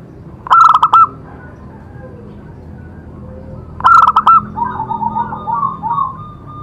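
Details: Zebra dove (perkutut) song, played to stimulate other doves to sing: two loud, harsh, clipped cooing bursts about three seconds apart, followed by a softer bubbling trilled coo phrase, over a low steady hum.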